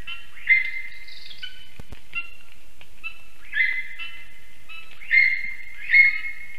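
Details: Yelping calls from a lesser spotted eagle family near a black stork nest in Ogre municipality, Latvia, 19 August 2024 at about 1:19 pm, caught on a nest camera; four louder clear whistled yelps with fainter notes between, in a quiet setting.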